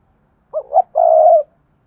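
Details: Decoy spotted dove calling to lure wild birds: two short soft coos rising into a long, steady, resonant coo in clean, quiet surroundings.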